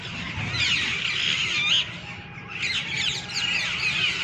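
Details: Evening flock of green, red-beaked parrots perched high in a tree, calling nonstop: harsh, high squawks and rising-falling chirps pile over each other, with a brief lull partway through before the chatter swells again.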